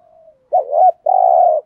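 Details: Single 'thúc gù' phrase from a decoy spotted dove used for luring: a faint lead-in, a bouncing wavering note, then a long, level, gently buzzing coo.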